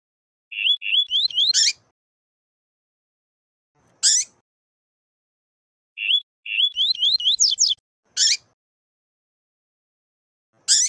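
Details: Double-collared seedeater: a male's deep "canto grosso" tuí-tuí song of bright repeated whistles, then faster rising slurs ending in a harsh buzz, twice, with a female calling and peeping in short rasping notes between.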